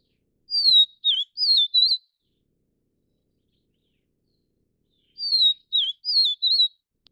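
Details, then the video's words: Vivid niltava (Taiwan subspecies Niltava vivida vivida) feeding chicks gives a short phrase of four high, sweet whistled notes that dip and rise, repeated after a few seconds' pause in a quiet setting. "黃腹琉璃-育雛/Vivid Niltava-Feeding chicks"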